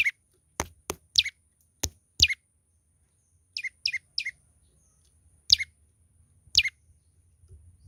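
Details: Young olive-backed tailorbird in active voice, giving sharp downward-sweeping chirps with a few clicks, spaced unevenly about a second apart and sometimes in quick pairs or triplets, over a faint low rumble.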